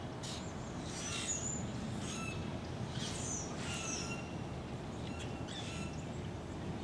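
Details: Brewer's blackbirds, probably a few hundred congregating in trees along Little Fishweir Creek at 7:50am on November 11, 2015, flying about and puffing up feathers, give harsh, squeaky bursts about once a second, several birds overlapping, over a steady low traffic rumble.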